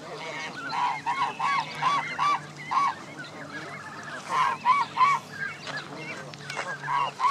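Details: At Jess Ranch Lakes Park, May 23, 2014, amid many Canada goose families with goslings, one goose honks in a steady series of loud, short, nasal notes about three per second, pausing mid-clip before resuming over background flock calls.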